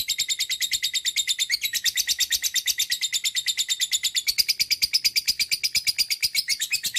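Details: Lovebird in a long unbroken chattering song: dense, rapid, high-pitched notes pour out several times a second for the whole stretch. The pitch wavers slightly, and the sound stays shrill and continuous throughout.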